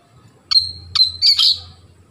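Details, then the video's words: White-rumped shama, known locally as kacer, giving a short song phrase: two sharp whistled notes a half second apart, then a rich warbled flourish, with a low hum underneath. "suara kacer"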